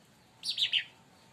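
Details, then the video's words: Leafbird, locally called cucak ranting or cica daun, singing energetically after being provoked by another bird: a single quick burst of three bright, high chirped notes in under half a second over a quiet background. "cucak Ranti bahan auto esmosi||dipancing Burung ini"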